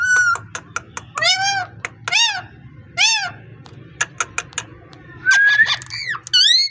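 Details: Pet parrot talking, a run of harmonic, speech-like syllables mixed with short sharp clicks and a bright rising whistle, some phrases arching up and down, over a low steady indoor hum.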